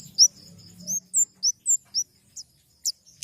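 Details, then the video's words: Flowerpecker (kemade, family Dicaeidae) gives thin, very high, sharply hooked chirps, about eight notes in three seconds, spaced irregularly, with a faint low hum at the start. "Suara burung kemade"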